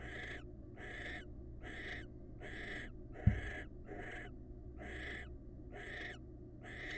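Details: Wild barn owls in a pair bond give harsh, rasping hissing screeches about once a second, each lasting about half a second, with a steady low hum underneath and one sharp knock midway.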